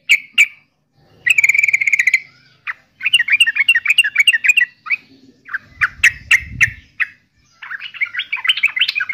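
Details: Yellow-vented bulbul (Pycnonotus goiavier) song of bubbly, chattering warbled phrases broken by short pauses, with a few sharp high clicks mixed in and a soft low rumble in the background.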